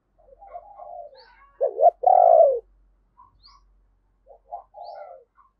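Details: Spotted dove used as a decoy, calling in thúc and gáy style to draw wild doves. Soft coos lead into a loud double note and a long descending coo, then quieter cooing.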